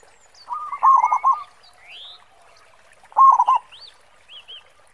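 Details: Local zebra dove singing with a big 'khong' voice, kept as a lure bird: two bursts of rapid, hooked cooing notes about two seconds apart, with thin chirps and whistles from other birds above.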